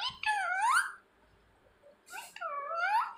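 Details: Caged-at-home talking parrot calling for its owner; two drawn-out, nasal, speech-like phrases that swoop down and climb up, with a low background hiss.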